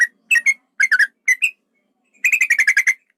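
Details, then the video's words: Male yellow-vented bulbul giving a fighting call with a long rolling song, used to provoke other birds: short bursts of clear whistled notes with a pause, then a fast run of about ten rapid chattering notes. "trucukan ropel panjang tarung pancingan trucukan agar bunyi jadikan burung trucukan agar emosi"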